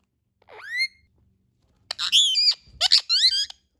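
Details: Indian ringneck parakeet talking: a rising squeaky syllable, then after a pause a chattering run of wavering, word-like nasal sounds with abrupt breaks and a final sliding note.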